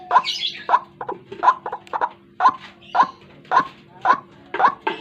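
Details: Morning lure recording of a white-breasted waterhen, with strong croaks repeated roughly twice a second and softer grace notes between some of them.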